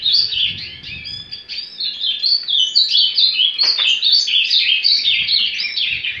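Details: Ultramarine grosbeak (azulão) singing surdina or carretilha song to warm up: dense, rapid, rolling chatter of short tweeted notes, continuous for about six seconds with a brief click midway and soft low background hum.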